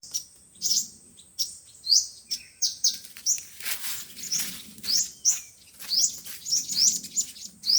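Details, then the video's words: Five-colour and seven-colour sunbirds, a recording used as speaker playback to lure wild birds for trapping: sharp high rising chirps in irregular bursts, with a faint low hum underneath. "Tiếng chim hút mật 5 màu và 7 màu"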